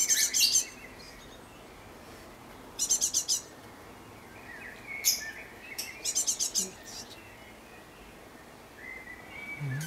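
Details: Garden great tit, recorded 11 May 2014, giving rapid series of four or five high, clipped notes in separate bursts, with a few soft lower whistles between them.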